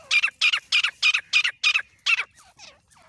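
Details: Grey francolin, desi partridge, male and female: a quick series of harsh, squawky notes about five per second, then softer fading calls at the end.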